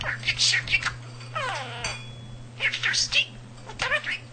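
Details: House budgerigar, a male mimic of nearly 300 words and phrases, speaking in high, nasal, word-like bursts with a drawn-out wavering note in the middle; steady low hum behind.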